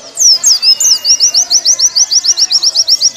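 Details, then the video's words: Sweeping, thin whistled notes from a Warbling white-eye, used as training song for caged birds, settle into a steady trill of sharp high notes, roughly six each second. "Masteran pleci paling ampuh"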